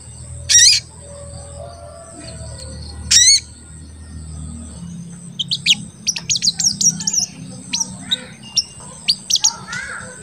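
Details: Lively crested jay calling to provoke other jays into answering: two loud isolated high chirps, then a quick scattered run of thin, sharp chirps over a low background hum.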